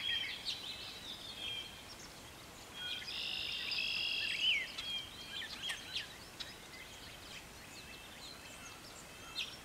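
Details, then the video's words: Brown thrasher singing in a garden in spring, when its return marks planting time for early crops; faint, high-pitched varied phrases of chips and short notes, with a denser buzzy burst and a rising whistle near the middle, over steady background hiss. "A Brown Thrasher Singing in the Garden"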